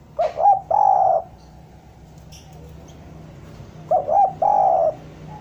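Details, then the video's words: Lure spotted dove, used to coax wild doves down, repeating its song twice. Each phrase is two or three clipped coos and then one drawn-out coo, with a quiet gap of about three seconds between phrases. "Suara derkuku bahan ini sangat pas untuk pancingan tekukur pikat agar mau turun"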